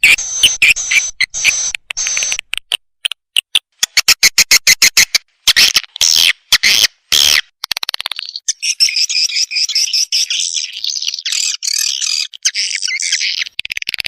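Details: Swiftlet lure sound mixing steady rapid clicks, loud buzzy chirp bursts and a long final passage of continuous high twittering.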